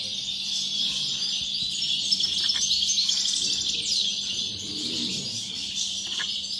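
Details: Contest goldfinch song recorded 30 November 2019 at a bird society in Sant Joan Despí near Barcelona: busy, unbroken high-pitched twittering with quick chirps and short trills, a few sharp clicks, faint background murmur.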